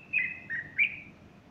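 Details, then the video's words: One clear bulbul phrase from a Sunday morning in August 2015, a female close by with plumage puffed: a sweet whistle, a lower slurred note, then a rising bright whistle. "البلبل يغرد"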